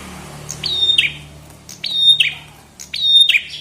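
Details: Three crisp phrases from a chestnut-headed tesia, each a piercing high onset followed by a steady whistle and a dropping flick, about 1.2 seconds apart over a low steady hum.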